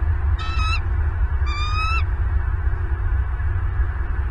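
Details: At a Southwest Florida bald eagle nest, watched by a camera on 8 December 2022 at 09:32: two brief, upward-sliding, thin whistles with harmonics about a second apart, then only a heavy low background rumble.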